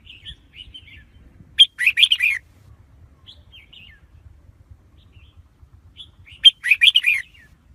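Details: Red-whiskered bulbul song: brief quiet chirps lead into a loud, jumbled phrase of bright, bubbling whistled notes, repeated once about five seconds later, over light background rumble.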